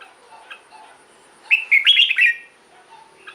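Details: Red-whiskered bulbul, song to excite caged birds: faint soft notes, then a single second-long burst of quick, bubbling whistled notes rising and falling.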